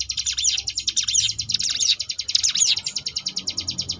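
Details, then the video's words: Ngebrem-style song of a Sunda bush warbler, a tutor recording for contest birds: fast pulsing high trill with tangled rising and falling whistled notes over the first half, then steady even pulses, faint low rumble behind. "cigun ngebrem variasi"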